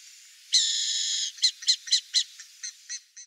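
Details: A wild burrowing owl (Athene cunicularia) in Brazil utters a long harsh screechy rasp, followed by a run of short raspy notes that grow softer and more uneven toward the end.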